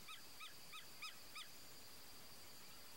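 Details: Wood stork (Mycteria americana), a fishing bird of Brazil's Pantanal swamps, gives five short, nasal, goose-like honks, about three a second, then falls silent against a steady high hiss.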